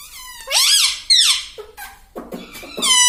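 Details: A talking pet parrot that says "mummy" and "papa" gives two loud, rasping, rising-and-falling syllables, then quieter broken chatter and a final strained note.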